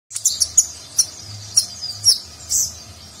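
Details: Sunbird (konin) singing in the nagen style with rich fills, used as a training recording for contest birds: sharp high chirps and short twittering notes in quick bursts, several in just over three seconds.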